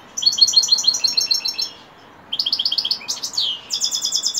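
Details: Evening song of a European goldfinch: quick bursts of high, tinkling twitter separated by short pauses, with one sweeping buzzy note midway before the rapid chirping resumes.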